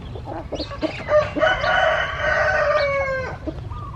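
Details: Rooster crowing: one long, sustained crow of about two seconds that holds steady and then drops at the end, with several hens clucking in short bursts just before it and faintly afterward.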